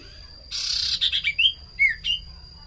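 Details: Lure sound of a common iora: a harsh buzzy rasp dissolving into several whistled slurs, some rising, one falling, spaced about a quarter second apart, over a faint high hum.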